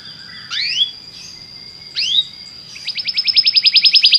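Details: Belgian canary singing, meant to prompt other canaries to sing: two upward-sweeping whistled slurs over a thin steady tone, then a fast, evenly pulsed trill of rising notes that grows louder.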